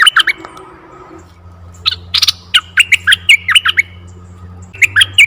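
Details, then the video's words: Red-eyed bulbul calls used as a lure for bulbuls: squawky, buzzy notes in uneven runs, some slurred upward, with short pauses between groups and a constant low background hum. "suara merbah mata merah Untuk pikat & pancingan burung merbah"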